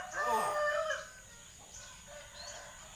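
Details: Common hill myna imitating human sounds and coughing: a loud, harsh, harmonic burst lasting about a second, followed by faint, scattered murmurs and quiet background.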